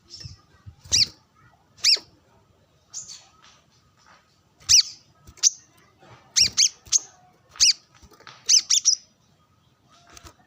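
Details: Brown-throated sunbird, calling to rivals while sunbathing with wild birds nearby. About ten piercing, high chip notes arrive in loose clusters, some closely doubled, over a quiet background.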